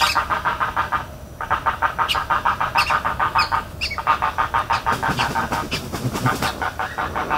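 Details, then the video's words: Spoonbill in Everglades National Park making repeated fast grunting pulses, about three per second, with a short break early on and scattered high chirps from other birds. "Spoonbill Sounds in Everglades National Park"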